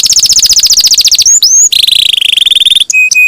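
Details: Vigorous canary singing, used as a lure to set other canaries off: a very rapid high trill, short rising whistles, a lower rolling trill, and two flat whistled notes at the close.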